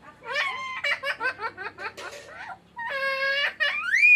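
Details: A raw green parrot talking, saying "mitthu mitthu": a quick run of voice-like, laughing syllables, then a steady nasal note ending on a rising whistle.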